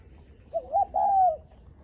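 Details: A single clear phrase of the spotted dove's guest-greeting coo, given when visitors come home: two short quick notes, then a longer drawn-out falling croon, close and clean.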